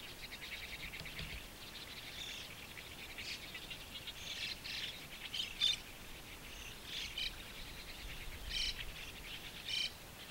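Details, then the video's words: Hungry pale-plumaged white-cheeked starling fledglings give harsh, raspy, overlapping begging calls with thin higher whistles as parents or helpers bring caterpillars near a shallow waterhole, early June 2015, Japan; soft outdoor hiss. "Hungry Fledgling of White-cheeked Starling"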